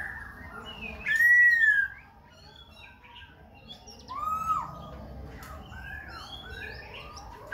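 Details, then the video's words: Khe Sanh laughingthrush singing while dancing, switching voice continuously; two clear whistled phrases, the first a loud arching note near the start, the second a falling slur about three seconds later, with quiet pauses between. "Khướu Khe Sanh hót múa đảo giọng liên tục"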